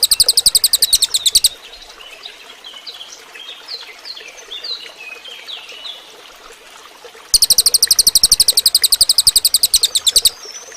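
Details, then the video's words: Cililin recorded as a training song for other birds: a short burst of rapid high chips, a pause filled with softer scattered chirps, then another fast three-second run of sharp repeated notes. "suara burung cililin bagus buat masteran"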